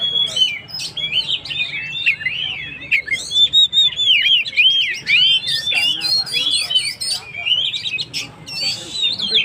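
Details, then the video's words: Oriental magpie-robin in full song, used to provoke stressed birds: continuous, varied whistling with quick up-and-down slurs, trills and sharp clicks, steady and loud throughout. "suara burung Kacer gacor"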